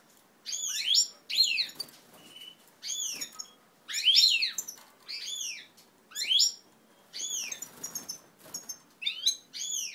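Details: Native ancestral European goldfinches during pair formation, 20 March 2012: repeated bright, liquid twittering phrases of arched slurred notes, roughly one every second, with faint background hiss.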